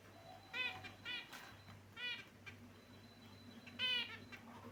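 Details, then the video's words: Pet finches in their cage give nasal, buzzy chirps in four separate bursts about a second apart, each a tight run of harmonic notes, against a low background hum. "Beautiful Finch Birds Chirping Sound"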